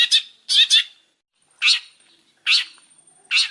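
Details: Energetic long-tailed shrike song: loud harsh scratchy notes, first a single note, then a pair, then well-spaced single rasps about a second apart, with a faint thin whistle in the background.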